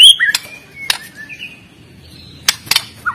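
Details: White-rumped shama, a prolific 'fighter'-style singer of the Medan type, used to train shamas that sing too little: short whistled notes near a clear high slur, broken by sharp clicking bursts and brief rising phrases.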